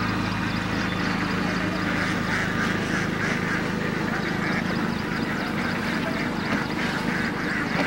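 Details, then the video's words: Indian ducks, hundreds feeding in dam water, heard as a thick chorus of rapid nasal quacks overlapping continuously, with a low steady hum running underneath. "Ducks indian ducks Hundreds of ducks feeding in water"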